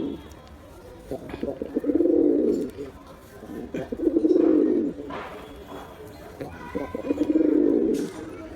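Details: A male pigeon performs, repeating low rumbling coos: three swelling, throaty phrases roughly every two and a half seconds, with soft clicks and background noise between them.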